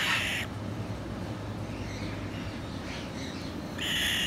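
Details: Two-month-old sulphur-crested cockatoo chick giving harsh, raspy, noisy calls, one burst at the start and another near the end, separated by about three seconds of quiet low room noise.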